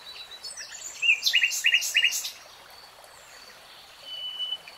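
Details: Common nightingale giving a short phrase of sharp, repeated chirping notes, about three clipped pairs, then a faint high whistle over steady background hiss.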